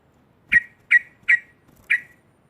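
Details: Yellow-vented bulbul; chattering song; provoking rival bulbuls into calling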